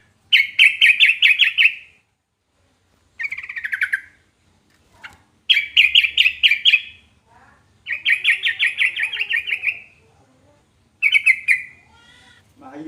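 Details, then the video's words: Sooty-headed bulbul song used to make other bulbuls reply: several loud, rapid chattering bursts of bubbly warbled notes, each one to two seconds long, separated by short silences. "burung trucukan manapun langsung nyaut dibuatnya"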